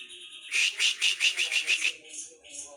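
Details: Loudly singing Javan brown-cheeked bulbul giving a rhythmic series of about seven sharp, ringing notes, evenly spaced roughly every fifth of a second, followed by softer high twittering.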